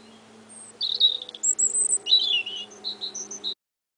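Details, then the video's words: Two small songbirds singing together in early spring, perhaps competing, with a third back-up singer at times: a quick jumble of high, bright chirps, trills and thin whistles, phrases overlapping, over a faint low hum. "Two Little Spring Birds singing away!"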